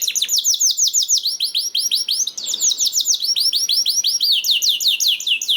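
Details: Lively canary song meant to get other canaries singing, with steady rolling tours of down-slurred whistled notes, roughly five per second, running without a break.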